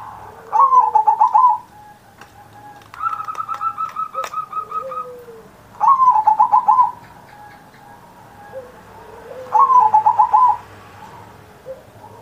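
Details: Zebra dove, a kept bird in full cooing song, its performance used as a master recording to coax other caged doves into singing. Bursts of rapid stuttering coos, each about a second long, return every three seconds over faint background twittering.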